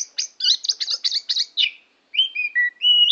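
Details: Oriental magpie-robin recorded in Tambakagung, Klirong, Kebumen: a quick chattering string of scratchy notes, a short pause, then several clear, sustained whistles at differing pitches, in a quiet setting.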